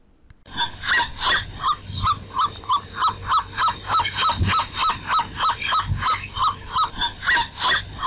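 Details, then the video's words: Black-necked swan calling: a steady series of soft, hooting, slightly nasal notes, about three per second, evenly paced throughout with faint low rumbling behind. "Canto del Cisne Cuellinegro"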